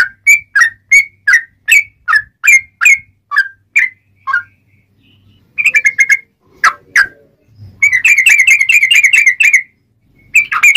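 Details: Sooty-headed bulbul singing, a sharp clear song meant to attract and trap wild birds: a run of about twelve separate whistled notes, a brief gap, then a dense rattling burst of rapid chattering whistles.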